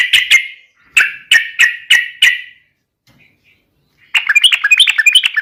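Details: 'Gacor garuda' yellow-vented bulbul, a lure to spur other birds to sing: a handful of loud, spaced sharp notes, a short silence, then a fast bubbly warbled phrase.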